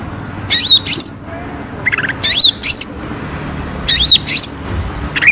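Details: Greater green leafbird song used as a lure to prompt reluctant birds to sing: loud bursts of sharp, rising and falling whistled notes with buzzy harmonics, delivered in paired phrases about every second, with low background hum.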